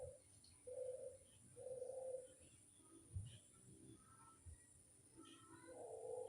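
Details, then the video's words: Barbary dove calling as a lure, faint: several short, level coo notes at the start and end, separated by dull knocks, faint chirps and a constant high whine. "Pancingan burung puter mamtap nembak"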